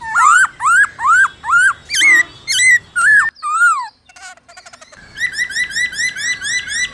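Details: Black-throated laughingthrush singing in the "forest voice" style, played to train captive birds: loud clear whistles, each rising sharply, repeated about twice a second, then a short lull with faint high notes, then a quick run of short rising whistles.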